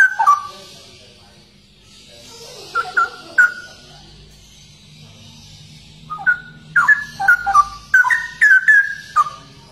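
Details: Cucak rowo, or Straw-headed bulbul, a rare songbird, opens with a short whistled burst, then scattered phrases, and ends with a dense string of rich gurgling whistles after a quiet stretch.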